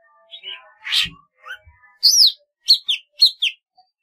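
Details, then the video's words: Song of a golden-fronted leafbird, a rapid string of varied chirps, then loud high downslurred whistles repeated at a quick, uneven pace, with soft warbled notes underneath. "tiếng chim thanh tước"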